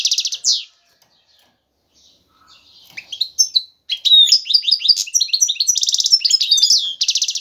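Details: Male European goldfinch calling a female to pair: a buzzy note, near silence, then building into rapid excited twittering with liquid chirps and fast buzzing trills.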